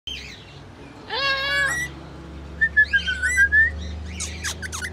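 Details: Rainbow lorikeet singing, said to be in love: a scratchy, buzzy harmonic call near the start, then a loud rich stacked squawk, a thin whistled phrase and sharp chirps toward the end.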